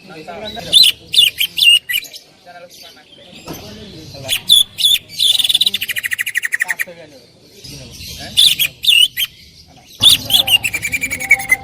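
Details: Greater green leafbird in loud song for tutoring other birds: bursts of sharp whistles and buzzy notes alternating with rapid trills of clipped repeated chips, separated by brief gaps.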